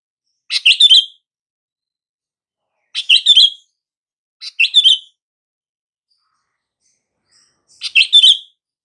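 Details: Sooty-headed bulbul calling to stir silent bulbuls into response: four short, lively chattered phrases at uneven gaps of one and a half to three seconds, clean and without background noise.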